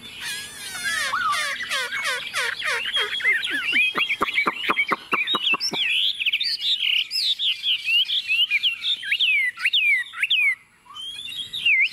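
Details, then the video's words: A tame Chinese hwamei kept as a cage bird sings confidently on a table, opening with fast rich warbles and sharp clicks, followed by loud varied whistles rising and falling in quick succession. "Họa mi thuần xách tay đặt bàn tự tin hót"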